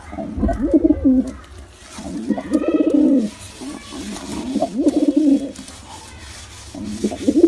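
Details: Male and female pigeons cooing in deep, rolling phrases, four bouts across seven seconds, each rising then falling, over a low steady hum.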